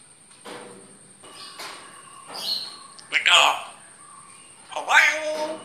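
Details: Grey parrot talking in soft murmured syllables, broken by two louder bursts roughly two seconds apart. The bursts are harsh and squawky with chirpy overtones, over a faint steady high hiss.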